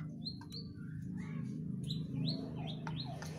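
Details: Agitated whistling thrush giving a run of short, sharply rising whistled notes in quick succession, over a steady low hum.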